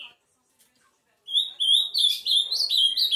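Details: After a short quiet spell, an Ultramarine grosbeak launches into a continuous warbling run of high, slurred whistles.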